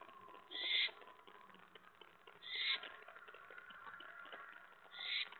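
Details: Pre-dawn owl calls recorded from a hideout on 8 January 2017 at about 5:30 AM: three raspy screeches roughly two seconds apart, fairly faint against a steady background hiss and hum.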